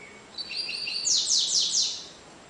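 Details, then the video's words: Double-collared seedeater (Sporophila caerulescens) singing in the 'cigano' style, about 30 songs per minute: high thin chirped notes, then four rapid descending buzzy sweeps at the end, over faint background hiss. "Coleirinho Cigano Sporophila caerulescens Coleiro Média de 30 cantos por minuto"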